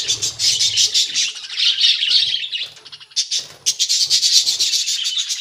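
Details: Colony-kept budgerigars produce loud, grating twitters and warbles in rapid bursts. The sound dips briefly midway, then resumes as dense chatter.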